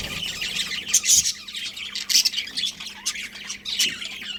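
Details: Colony budgerigars giving harsh squawks and short high chirps in scattered bursts, several overlapping voices, with a soft constant hum beneath.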